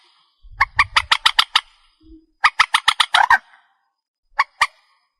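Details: Purple swamphen, recorded as a night-hunting lure, gives short series of loud, nasal, clipped squawks separated by brief pauses, with a low rumble before the first series.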